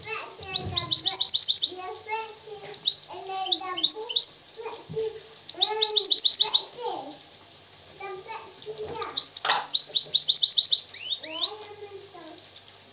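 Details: Wild goldfinch from Morocco giving a long, varied song: fast clusters of high, bright upsweeping twitters alternating with lower nasal, bending notes, with short pauses between phrases.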